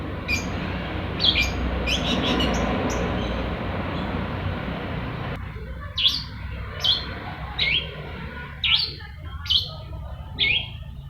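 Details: Long-tailed shrike, said to sing nonstop, first barely heard through loud broadband noise, then giving clear harsh rasping bursts about every second for the last five seconds.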